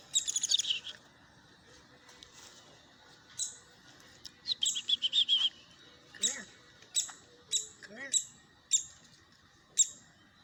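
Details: Young woodpecker near Houston begging while two people feed it, uttering bursts of high, scratchy chirps and repeated sharp notes, mixed with a person's speaking voice.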